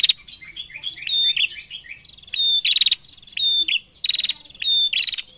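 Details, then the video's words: Vocal female prinia answered by males: a rapid string of high clicking rattles and thin whistles, rising to loud bursts about once a second after a softer start. "SUARA PRENJAK BETINA GACOR SAUT JANTAN"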